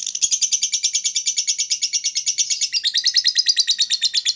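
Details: Lovebird ngetik koek ngekek chatter, played as a lure to stimulate other lovebirds to sing: a loud, rapid, unbroken run of sharp high chirps, about seven a second, rising slightly in pitch midway.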